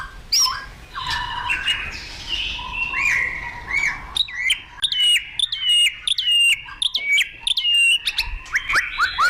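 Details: Caged white-rumped shama singing a lively, varied song: bright whistled notes, sharp upslurred chips and rich warbled phrases that shift quickly between low and high pitches, with short pauses between bursts.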